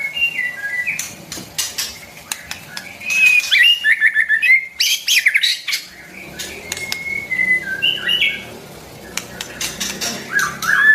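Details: White-rumped shama song for coaching young birds: scattered whistled notes with sharp clicks and a busy patch of quick notes midway, over a steady low murmur.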